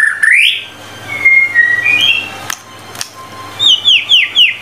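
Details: Energetic White-rumped shama song used as tutor material: a rising whistle, then long flat whistled notes, a pause, and finally a quick series of four descending whistled slurs, over a faint low hum.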